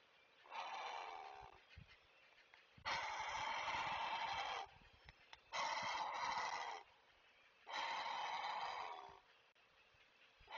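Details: Great blue heron parent on a Chesapeake nest webcam, alerting to stay away: four loud, harsh, raspy squawks, each lasting one to two seconds, separated by short pauses, with faint background hiss.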